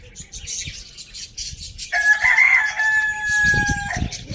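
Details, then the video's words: Farm village rooster crowing: after soft background bird chirps, a loud drawn-out crow starts about halfway through, holding a steady tone for two seconds before fading, with small birds chirping throughout. "Amazing chicken rooster crowing sound in the farm village"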